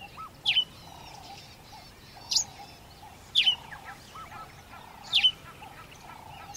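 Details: Sparrow in Africa giving single and doubled sharp chirps every second or two, over constant background noise and fainter low warbling calls from other birds.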